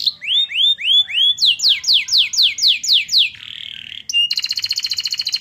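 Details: A canary's song is full of white-eye (pleci) phrases, intended to raise excitement. Looping upslurred whistles lead into fast falling notes and a brief hissy buzz, then a rapid, ringing rattle-trill.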